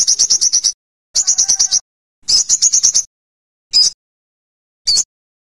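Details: Olive-backed sunbird singing: three quick bursts of high, thin, clipped notes rattled off in rapid series, each under a second, followed by two single sharp high notes spaced about a second apart; quiet background.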